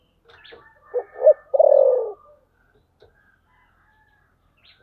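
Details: "Thổ sấm" voice-style calling from a spotted dove. Soft low notes lead into two short coos, then a long, pulsing, descending coo, followed by near silence and a faint click.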